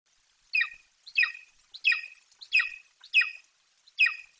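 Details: Golden eagle chick in Bucovina, 28 July 2021, screams excitedly as its mother flies to the nest with a Eurasian magpie as prey: six harsh, high, downslurred screams about every two-thirds of a second, against a quiet background.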